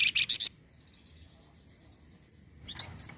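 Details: Flamboyan bird song meant to stimulate caged birds into singing: a loud harsh chattering burst, a quiet series of high rapid ticking notes, then another scratchy burst.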